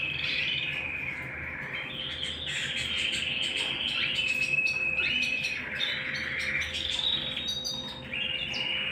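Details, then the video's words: Canary bird singing at home, long rolling trills alternating with pure sustained whistles and quick repeated chips, phrases changing every couple of seconds, constant low hum in the background. "canary bird - canary singing - canary sounds - canary singing at home - beautiful canary birds"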